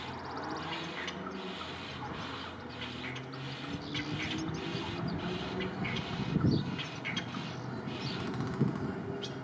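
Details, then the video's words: Little wattlebird gives harsh, raspy, cackling notes in uneven bursts, about one every two seconds, over a steady low rumble of background noise. "Little wattlebird"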